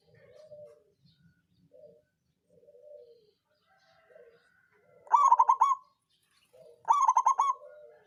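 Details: Local zebra dove, songgo ratu type, played to rouse lazy birds into singing; two rapid rolling cooing phrases, each of several stuttered notes, with softer lower coos from other doves between them.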